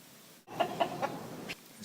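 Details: A rooster crows at 5:30 a.m. at a home in Senegal in March, a short, hoarse burst of a few rough, strained syllables lasting about a second, starting abruptly, with faint background hiss.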